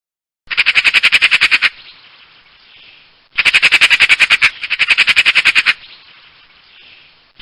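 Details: Magpie giving harsh, rattling chatter in three rapid bursts of about a dozen grating notes each, each burst lasting just over a second, separated by brief quiet gaps; a fourth burst begins at the very end.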